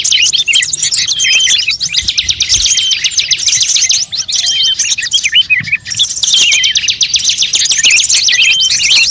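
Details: Mixed bird sounds for luring birds: a continuous wall of shrill overlapping chirps, quick rising and falling trills, and thin whistled notes, with no pauses.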